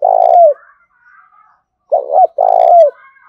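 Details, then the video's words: Decoy spotted dove calling wild birds with eager cooing: a long falling coo, a pause with faint twitters, then a quick double coo and another long wavering coo. "Tiếng chim cu gáy thúc bổi rất sung"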